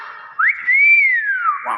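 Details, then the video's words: Nias hill myna producing a single long, pure whistle that rises sharply, holds steady, then glides slowly downward before a short final note. "BEO NIAS SUARA ASLI"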